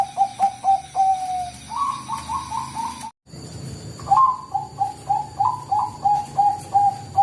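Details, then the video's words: Bangkok-type zebra dove calling, used as a lure sound: fast runs of short, clipped cooing notes, some stepping slightly higher, broken by a sudden cut midway, over a steady low hum. "pancinga suara Perkutut Bangkok"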